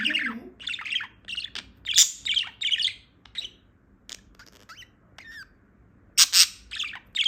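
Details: Just-awake female budgerigar keeps up a lively chatter of buzzy, grating notes mixed with a few thin rising whistles and sharp clicks.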